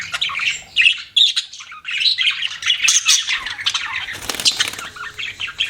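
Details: Several pet budgies chirp and warble continuously, a thick layer of buzzy chatter and squeaky notes, with a brief rattling burst near the four-second point.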